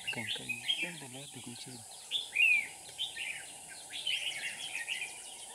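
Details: Bulbul trapping session with a decoy red-whiskered bulbul on 7 April 2019. Quick, slurred chirps and short warbled phrases repeat irregularly, with a louder whistled flourish midway. A person talks briefly at the start over constant high hiss.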